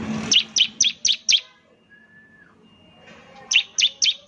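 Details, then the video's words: Bar-winged prinia, semi-active singer said to provoke other prinias: a run of five crisp, high, down-slurred chirps, a quiet gap with a faint thin whistle, then four more chirps. "ciblek semi gacor, sangat terbukti bikin ciblek lain ikut bunyi nembak nembak"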